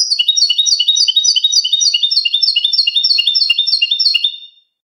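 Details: European goldfinch clean song, cante limpio, used to tutor captive birds: a fast run of about fifteen repeated liquid, tinkling twitters, evenly paced, fading out after four seconds; faint clicks, otherwise silent.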